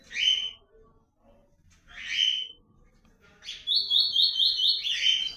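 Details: Ultramarine grosbeak (Cyanoloxia brissonii) calling and singing as its season arrives: two short, bright chip calls about two seconds apart, then a quick high phrase of rapidly repeated whistled notes.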